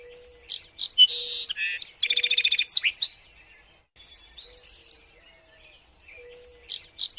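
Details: Small songbirds, used to train caged songbirds: sharp high chirps, a harsh buzzy burst and a whistled upslur, then a rapid run of about a dozen clipped notes, followed by soft distant twittering and renewed shrill chirps, over a faint constant hum.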